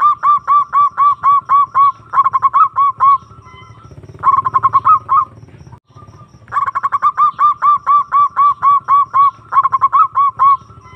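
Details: Zebra dove lure call for summoning a rival, long series of rapid, evenly pulsed bubbling coo notes repeated several times per second in extended bursts, with one brief pause near the middle and soft low background hum.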